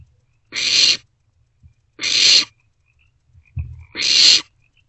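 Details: Barn owlets in a nest box at night, 1:47-2:06 am on 27 March 2024, sharing and passing a vole back and forth; harsh hissing screeches, three broad noisy bursts about half a second each, with faint low thumps between.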